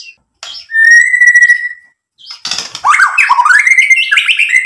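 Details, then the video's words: White-rumped shama singing to rouse other birds: a long steady whistle, then a rapid tumbling run of varied rising and falling notes. "SUARA MURAI BATU Untuk MENAIKAN EMOSI jadi NYAUT GACOR BONGKAR MATERI ISIAN | PANCINGAN MURAI"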